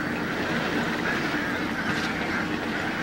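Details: Many Indian ducks, hundreds in number, feed in water and keep up a busy wash of harsh quacks and honking notes, with faint low background hum.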